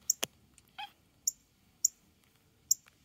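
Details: Male northern cardinal mating call: four sharp high chips spaced about half a second apart, alongside a brief lower harmonic squeak and a couple of clicks.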